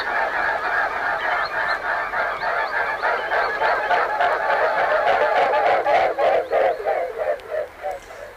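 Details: Six mute swans take flight over a river, their wingbeats a loud, throbbing, rhythmic whooshing of about three pulses a second that swells and fades as they pass.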